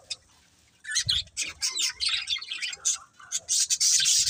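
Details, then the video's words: Budgerigar breeding pair giving rapid, high-pitched scratchy chirps and chatter after a brief quiet start, notes running together in an excited warble. "Cute Budgies Chirping Sounds | Love Birds Breeding Pair"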